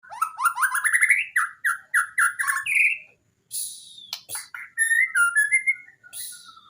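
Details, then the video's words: White-rumped shama song used as a training recording for shamas that rarely sing: rising series of rich whistled notes, then buzzy slurred phrases and a harsh rasping burst, ending in lower warbled whistles. "Masteran murai gacor full isian bongkar materi mewah!!! Cocok untuk murai malas bunyi..."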